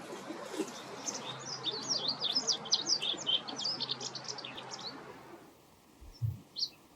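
White wagtail giving a quick run of bright, high chirping notes over a few seconds, against steady background hiss and a low traffic-like rumble.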